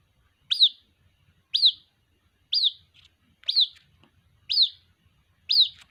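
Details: White-breasted waterhen chick calling its mother: six sharp, high, downward-hooked peeps, evenly spaced about one second apart, with a quiet background.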